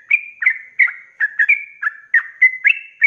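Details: Rapid 'ropelan' song from a sooty-headed bulbul in full voice, used to tutor cage birds: short sliding whistles and longer level whistled notes alternating quickly, with a clean, quiet background.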